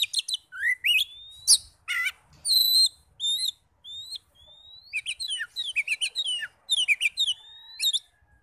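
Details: Oriental magpie-robin song used as a lure to rouse other magpie-robins into singing: varied high whistles, sharp upslurred and downslurred notes and buzzy chips in rapid, irregular bursts with short pauses.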